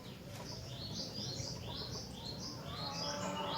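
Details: Energetic rengganis song that prompts other rengganis to answer: rapid runs of high, sweet, chirping whistles, rising and falling, about four notes a second, against constant background hiss.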